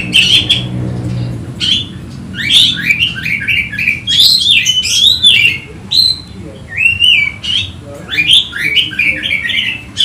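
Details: Excited Oriental magpie-robin searching for a rival: long energetic song of rapid harsh notes, rising and falling whistles and chattering bursts, with a low murmur early on.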